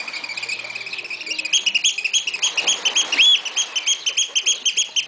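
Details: Oystercatcher recorded in Walsrode, Germany, giving loud, sharp piping peeps repeated about three per second in a steady, insistent series that grows stronger toward the end.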